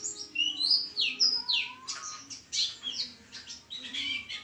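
A white-eye sings a fast, high, tumbling twitter of sweet whistles and thin chirps, with a faint low hum underneath.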